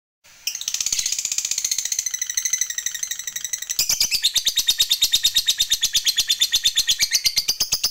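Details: Fighter lovebird in long ngekek chatter meant to lure other lovebirds into song: after a brief silence, a sustained torrent of fast, shrill, buzzy pulses, growing louder midway.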